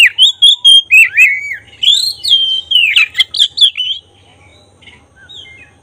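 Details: Oriental magpie-robin with black breast in lively song, meant to rouse emotion and tail spreading; fast run of loud clear whistles and buzzy warbles for about four seconds, then near silence with faint distant notes.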